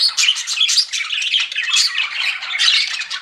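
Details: Pet budgerigars in full chatter: rapid, overlapping squeaky chirps and buzzy warbled phrases, with a few clear whistled notes standing out, all continuous.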